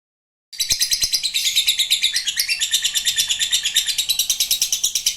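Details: Lovebird singing a long chattering trill, ngekek panjang, after a brief silence: rapid high notes pulsing about three times a second, sustained throughout with a few low clicks at the start.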